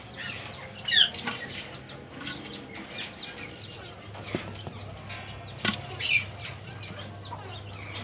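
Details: Ring-necked parakeet chicks from a captive pair's first clutch of the season give busy, overlapping high chirps and squeaks, with two sharper shrill notes standing out, over a steady low mechanical hum.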